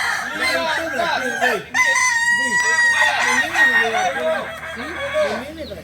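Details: Crowing kokok balenggek roosters at a joint practice in Solok; one long, level, sustained crow holds for over a second amid many short arching, bouncing crows from other cocks.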